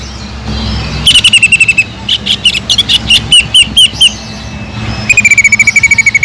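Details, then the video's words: Greater green leafbird singing kingfisher (tengkek udang) imitation notes to lure and train other birds; a short rapid series, then spaced warbled and rising chirps, ending with a long descending run of quick notes. "PANCINGAN CUCAK IJO GACOR ISIAN ISTIMEWAH TENGKEK UDANG"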